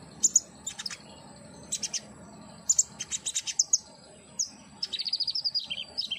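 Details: Common iora recording played as therapy so a captive bird sings and answers within seconds: clusters of thin high chirps, then a rapid run of evenly spaced twittering notes near the end.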